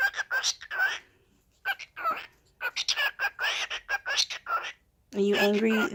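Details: A pet cockatiel, described as lecturing its owner about being gone at work too long, chatters in quick bursts of squeaky, warbling notes, and a person's voice follows.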